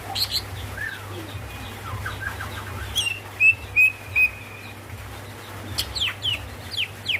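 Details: A female greater green leafbird calls for the male with three loud, pure whistled notes in quick succession, surrounded by softer scattered chirps and a steady low background drone.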